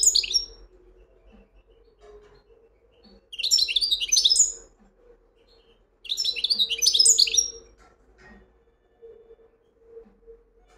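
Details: European goldfinch singing two bursts of high, tinkling twitters and chirps a few seconds apart, with quiet pauses and a faint steady hum in between.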